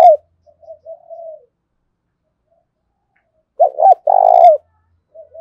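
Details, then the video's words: Spotted dove lure and fighting call: faint short coos, a long silence, then a loud phrase of two quick rising notes and a long buzzy coo, with soft coos after. "Chim cu gáy kích bổi giọng thổ pha/ tiếng thúc đấu vang cả xóm làng"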